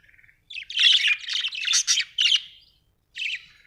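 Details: Budgerigar giving a dense, scratchy warbling chatter of rapid buzzy chirps for about two seconds, a brief pause, then one more short burst; quiet setting with no other sounds.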